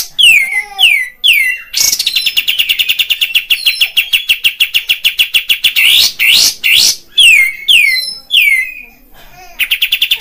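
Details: Lure song of a kapas tembak bulbul, meant to rouse the fighting temper of caged birds so they puff up and sing. Falling whistled notes lead into a long, fast, buzzy trill of evenly spaced notes, then more sharp falling phrases.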